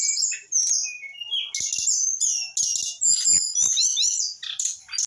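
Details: Singing brown-chested jungle flycatcher of eight months: a cascade of high slurred whistles, downward glides and rough chattering phrases, each burst separated by brief quiet gaps.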